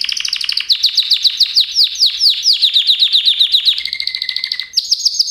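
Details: A canary pours out rapid, slurred trilling notes for several seconds, then gives a lower drawn-out buzzy tone and a very high fast trill.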